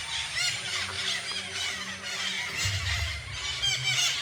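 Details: Many parakeets gathered in a tree at Garo Para natural bird sanctuary, hard to see against the leaves. A dense chorus of shrill, overlapping squealing screeches runs without pause, with a low hum underneath.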